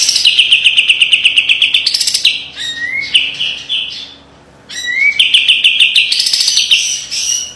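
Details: A white-eye known locally as kapas tembak delivers a piercing training song with tight rapid trills: long fast buzzy runs, rising slurred whistles, a brief silence, then the trilling resumes.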